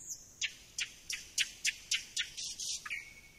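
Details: Thrush nightingale song phrase of loud, rapid, evenly repeated sharp chacking notes, about four per second, ending in a steady lower whistle.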